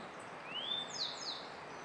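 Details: Song of the Grey bunting, filmed in May 2022: a pure whistle sliding upward, then a thin high buzzy phrase with a couple of sharp accents, against steady low background noise.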